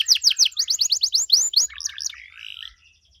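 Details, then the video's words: Singing canary, ornate 'cengkok mewah' style aimed at provoking replies from other canaries: about a dozen quick rising high notes, then a softer buzzy warble fading out. "KENARI GACOR DOR CENGKOK MEWAH BIKIN KENARI LAIN LANGSUNG RESPON BUNYI GACOR"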